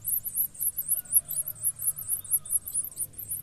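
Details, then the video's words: Chicks of a blue-black grassquit pair beg as both parents feed them, giving a continuous stream of very high, thin, wavering squeaks repeated several times a second, over a faint low hum. "Tuziu - Pássaros alimentando seus filhotes."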